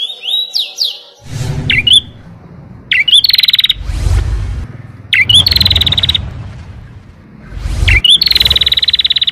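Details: Young canary learning to sing, practising long rolls and sharp 'nembak' bursts: high, rapid rolled trills and buzzy sustained phrases, broken by short whistled notes, with loud low thumping noise bursts between phrases.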